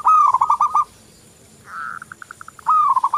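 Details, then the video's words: Active local zebra dove (perkutut lokal) song made as a lure: a loud fast fluttering cooing phrase, a buzzy hum breaking into quick pulses, then another loud trilled phrase. "Perkutut lokal Gacor"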